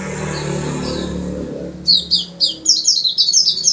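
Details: Oriental white-eye singing in a lively, chatty style with a distinctive song, from Yogyakarta: after a low hum, a quick run of high, thin twittering notes begins partway through and continues to the end.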